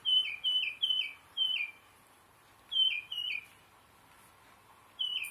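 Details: Tufted Titmouse song: clear whistled two-part notes, each sliding down, given in quick runs of three or four, then a second run of three after a pause, and a single phrase at the end.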